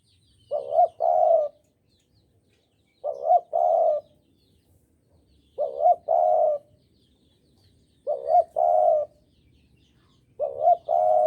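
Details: Javan spotted dove cooing as a trapping lure: five evenly spaced two-part phrases roughly every 2.5 seconds, a short hooked note and a longer full coo, near-silent gaps between.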